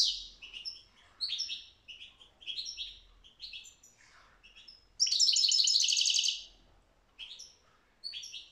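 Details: European goldfinch song: quick twittering phrases of short whistled and buzzy notes, broken by a loud, fast, rattling trill lasting over a second.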